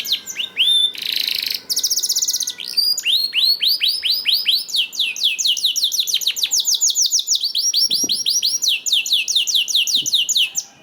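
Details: Canary song used as a prompt for other canaries to sing: rising whistles, a loud buzzy trill, then long runs of quick repeated rising notes in several tempo changes.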